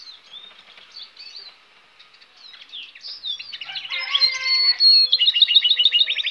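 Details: Goldfinch hybrid song that starts soft and scattered with thin twittering notes, then grows louder into a dense burst of rattling chatter and quick repeated sharp notes.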